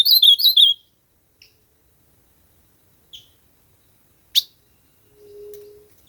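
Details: Ultramarine grosbeak singing a quick warbled phrase of looping whistled notes at the start, followed by scattered single chips, a sharp click and a low steady hum.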